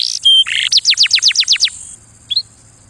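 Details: Singing canary during mating season: a buzzy phrase and a flat whistle, then seven loud descending whistled sweeps in a row, a pause and one short chirp.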